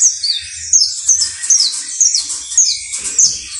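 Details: Sicalis flaveola, the saffron finch called canario basto criollo, repeating short bright high notes about three times a second among quick warbled chirps, forming a lively rhythmic song.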